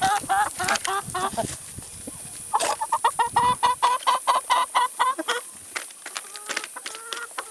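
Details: Several chickens feeding on salad and vegetables: a scatter of pecking taps and mixed clucks, then a bright, regular string of short clucks, then softer low clucks trailing off.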